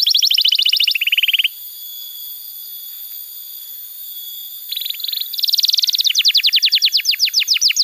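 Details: Canary song used as a lure and tutor for young canaries and for canaries that have stopped singing: fast trilled bursts and rapid repeated descending notes, separated by a quiet gap of about three seconds.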